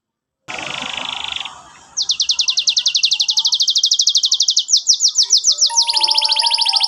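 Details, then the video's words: Canary song aimed at teaching juvenile canaries: a soft buzzy opening, then a long rapid trill of descending notes that shifts pitch and ends in a lower rolling trill. "KENARI GACOR cuit cuit NEMBAK PANJANG, pancingann kenari paud belajar bunyi"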